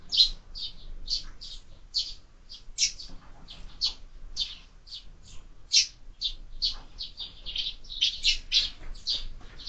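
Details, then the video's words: A flock of sparrows at a feeder attached to a window, fed year-round, chirping rapidly and continuously, clipped tweets tumbling over one another with occasional louder notes. "Воробьи в кормушке"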